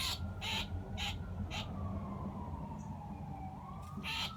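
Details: Blue jay pinned to the ground in a front yard by a hawk that grabbed it mid-flight and is plucking it; harsh, raspy screams in short bursts roughly every half second, over a siren wailing and slowly falling in the background.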